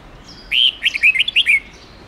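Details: Red-whiskered bulbul in long forest-style song, played for training young bulbuls to learn it: one quick phrase of about eight bright, warbled, rising-and-falling whistled notes over a second, over faint steady background hiss.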